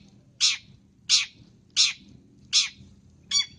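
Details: Long-tailed shrike lure call: five loud, grating scolding notes spaced roughly two-thirds of a second apart, the last one thinner and shorter, over faint low hum.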